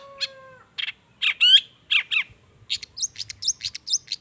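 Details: Long-tailed shrike singing, played to encourage shrikes to sing: a faint level whistle, scratchy harsh notes, then a quick series of twisting high squeaky phrases repeated several times.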